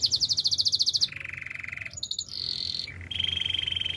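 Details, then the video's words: Canary song used for training, made of trilled tours: a fast high rattle, a lower steady roll, a brief high note, then sustained even trills at mid and high pitch. "Active canary singing makes your canary sound"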